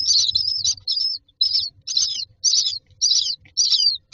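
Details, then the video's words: Myna chicks standing in a row in a nest box, waiting for food: shrill, wavering high-pitched calls repeated roughly twice per second in steady bursts, with faint low rustling beneath. "Myna chicks are standing in a row waiting for food"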